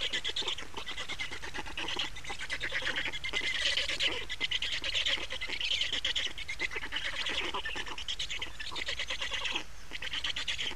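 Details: A long run of harsh, buzzing, finely pulsed calls from a black stork nest in Estonia, 28 May 2019, as the birds change over and feed, rising and falling in intensity throughout.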